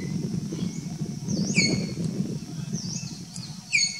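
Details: Streak-throated woodpecker (Picus xanthopygaeus) in Kaziranga, Assam, gives two sharp, high, downslurred notes about two seconds apart, with faint thin chirps over a steady low rumble.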